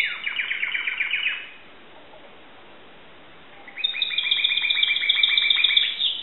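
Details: Pet Timbrado canary in Greece: a quick burst of rapid descending chips, a pause of near silence, then a longer high metallic trill with rapid repeated notes.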